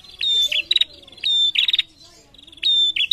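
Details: Female prinia calling to males: a bright, high, clear whistle, each followed at once by a rapid buzzy, clicking burst. The phrase is repeated three times in quick succession over a faint low wavering hum.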